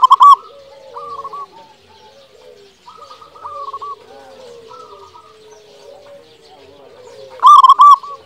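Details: Local zebra dove singing vigorously, used as a lure to prompt quiet doves to sing: loud trilled coos near the start and end, with softer overlapping cooing phrases in between.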